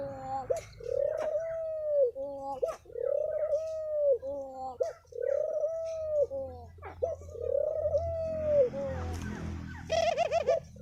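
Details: Spotted dove cooing in the thổ pháp song style, used to excite wild-caught birds, males and females, recorded 2023: mellow mid-pitched coos in arched phrases, repeated about every one and a half seconds, ending with a burst of higher bird chatter.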